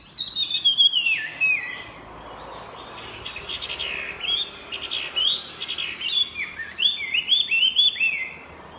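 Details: A Chinese hwamei in full voice. Loud clear whistled phrases slide downward at the start, softer twittering notes run through the middle, and bright looping whistles return strongly near the end. The singing goes on throughout with little pause.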